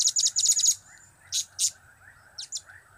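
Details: High, piercing chirps from a blue-crowned hanging parrot, whose calls are known as cap, kiak and crap. A fast run of about eight notes is followed by two louder separate chirps, then two quick fainter ones.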